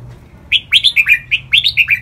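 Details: Red-whiskered bulbul singing a lively, clear training song in the 'lak wai' style. Two quick phrases of four or five bright, slurred whistled notes follow each other closely, with a quiet low hum behind.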